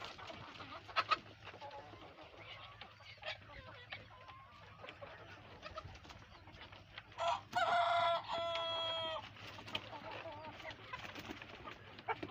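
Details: Hens and roosters in a barnyard coop on a farm, calling while trying to lay eggs; a loud, harmonic, drawn-out scream with stacked tones around one second long, amid scattered softer clucks and background hum.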